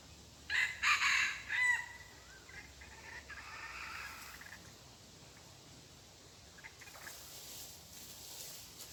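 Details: Red junglefowl used as a decoy to lure wild junglefowl, recorded 23 February 2022: a few loud, harsh, harmonic call bursts in the first two seconds, then quieter broken calling over a steady hiss of outdoor background noise.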